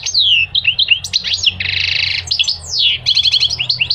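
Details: Loud, varied goldfinch song packed with high notes: sweeping down-slurred whistles, short chirps, and a buzzy, rattling trill in the middle, followed by more sliding phrases and quick twitters over a faint low hum.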